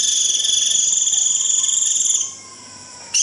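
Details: One long, steady, high buzzy trill of about two seconds from a white-eye giving its 'rít' flock call, then a pause and the start of another burst.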